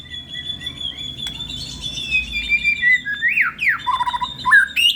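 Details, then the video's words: A contest-ready white-rumped shama in full song holds a thin sustained high whistle, then breaks into sharp rising and falling swoops and short squeaky notes, with a soft low hum behind. "burung murai gacor"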